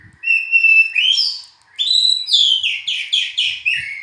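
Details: Rich oriental magpie-robin song: a sustained pure whistle, then a fast sequence of bright, rising and falling whistled notes and rapid repeated phrases.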